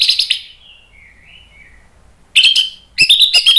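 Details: Short fragments of orange-headed thrush song in the loud ngeplong style used to stir other birds into singing: a brief whistled phrase, a soft fading warble, then two quick bursts of sharp chips and whistles.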